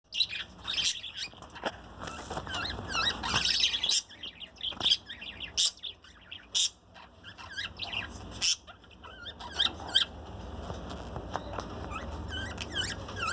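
A budgerigar chirps continuously with rapid, scratchy warbles and bright high tweets.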